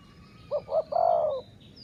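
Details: Dove used in decoy trapping of wild doves: a single phrase of two short, low, rounded coos followed by one long, drawn-out coo that slides downward at the end. Faint high chirps from other birds are in the background.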